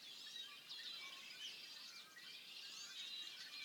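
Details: Several hundred male Red-winged Blackbirds gather before nesting, calling in females on an overcast, rainy, snowy 6 April 2014 on the Chilcotin Plateau, making a continuous high chorus of overlapping chips, whistles and squeaky notes, pausing when hawks are feared.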